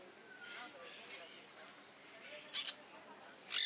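Peach-fronted parakeet giving soft, scratchy chatter, then two sharp, harsh high screeches about a second apart.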